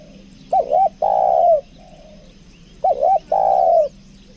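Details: Lure spotted dove in the 'kuk dua' two-note style from Lombok, cooing twice: each phrase a quick wavering double note, then a drawn-out falling coo, about two seconds apart, with a soft coo between.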